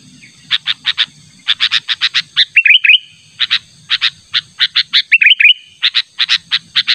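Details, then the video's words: Luring call of a sooty-headed bulbul challenging a rival: clusters of sharp, evenly spaced chips with brief warbled rising phrases in between, steady thin hum in the background. "Pikat Burung Kutilang Panggilan Ter ampuh suara alami"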